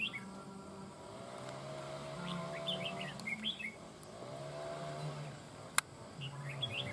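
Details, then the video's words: Wild-caught má trắng songbird singing over a decoy bird, its voice said to be like a mature bird's; short high chirps and slurred notes in scattered bursts over a steady low droning hum. "Má trắng VIP CHÉ ĐÈ MỒI GIỌNG NHƯ CHIM GIÀ NẾT CẦU CÁNH MỎ CỰC HAY"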